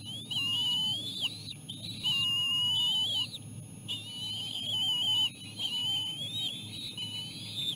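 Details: Hungry bald eagle chicks as their mother brings seal placenta after a lean day of little food. Long shrill whistled notes with wavering pitch come in four sustained bursts about a second apart, over a constant low background rumble.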